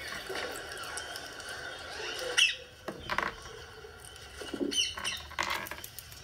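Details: A rose-ringed parakeet, a pet named Charlie, gives harsh, scratchy squawks and brief chattering bursts, a few seconds apart, over a low indoor background hum.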